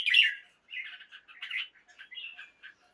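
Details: Morning song of a caged red-whiskered bulbul used to rouse other birds: a loud bright opening note followed by a string of jumbled, slightly harsh warbled syllables at varying pitch.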